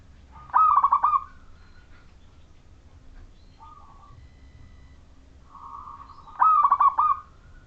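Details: Clear-voiced local Majapahit zebra dove, sung to draw other zebra doves into calling. Two strong rolling coo phrases with fast throbbing pulses, a soft short coo between them, and a steady low hum throughout.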